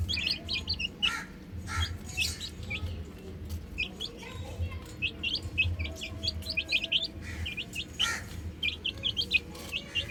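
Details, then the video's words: Several chicks on a roof keep up bright, high peeps in clustered bursts separated by short lulls, over a constant low background hum and occasional soft knocks. "Adorable Chicks Chirping Sounds"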